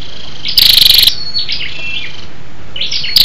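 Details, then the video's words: Female scarlet-backed flowerpecker calling to arouse males: one harsh pulsed rattle, faint high whistled notes, then a second rattle starting at the end. "SÂU ĐẦU ĐỎ MÁI RO KÍCH TRỐNG- Giọng MỒI HAY"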